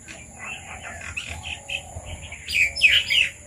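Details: Several red-vented bulbuls come to papaya in a Sri Lankan village: a run of soft chirping notes builds into louder, excited chattering in the last second, against a constant high hiss.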